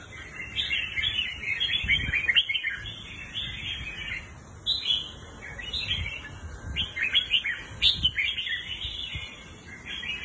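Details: Red-whiskered bulbul, a kept bird offered for sale, delivering bubbly, chattering whistled phrases in quick bursts, with louder flourishes near two, five and eight seconds, over a steady faint high hiss.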